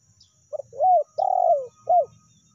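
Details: Spotted dove lure call in the meratus or melambung style: a loud phrase of one short note, a rising-falling coo, a long steady coo sliding down, then a final short hooting note, with faint low rumbling behind.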